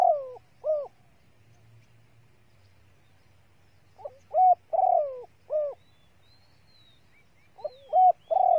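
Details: Female spotted dove calling to excite males, used as a lure: low hooting coos in short bursts, two notes, a pause, then groups of three or four notes, with quiet gaps between phrases.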